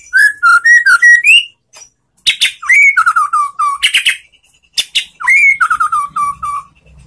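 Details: Relaxed white-rumped shama song, meant to coax a silent or post-moult bird into replying: loud fluting whistles rising and falling, then a repeated phrase of one upslurred whistle followed by a run of lower descending notes, given twice.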